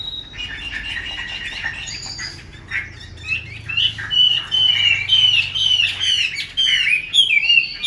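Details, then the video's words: A female Chinese hwamei, described as a good caller and lure that excites males, gives harsh chattering notes, then a quick run of clear, slurred whistles, several a second, some rising and some falling. "Họa mi mái xùy tốt, Te dụ rất hay. Vực lửa cho trống"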